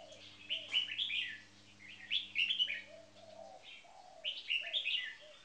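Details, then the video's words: Caged red-whiskered bulbuls, one on its first day in a cage, the other a marathon frequency singer: three bouts of vigorous, chattering whistled phrases, accompanied by low soft cooing notes and a hum that cuts out midway. "Marathon Frequency Singing"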